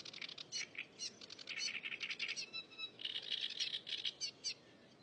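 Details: Cigrok singing busily in the wild: bursts of fast, scratchy, chattering notes, some buzzy and some whistled, running in bouts with brief gaps, over soft background hiss.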